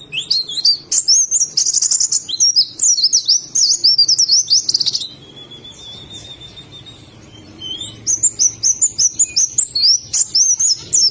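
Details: Oriental white-eye from Indonesia in ngalas song style: rapid bursts of high, sharp chirping notes, a quieter thin whistled stretch midway, then the fast trilling chatter resumes.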